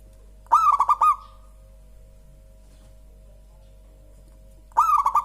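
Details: Local zebra dove song, described as very soft and mellow: two stuttering cooing phrases about four seconds apart, each a rising first note followed by quick clipped notes, over a steady low hum.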